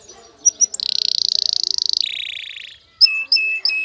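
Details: Excited male canary calling a female to mate: short sharp chips, then a rapid buzzy high trill that drops to a lower rattling trill, followed by clear whistled notes and a few crisp chips.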